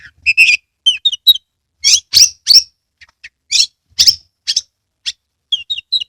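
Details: Oriental magpie-robin in loud song with tail spread, intended to make listening birds sing; rapid series of buzzy and whistled notes, dense bursts then short slurred phrases, background quiet.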